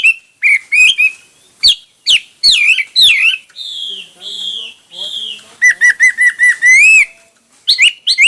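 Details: Varied song of a hwamei: rich slurred whistles, drawn-out descending notes, then a quick run of repeated even notes ending in a rising flourish, with sharp high phrases at the close.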